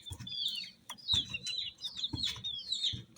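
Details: Coloured baby chicks giving a few drawn-out, high, wavering chirps about once a second, each paired with a soft low thump.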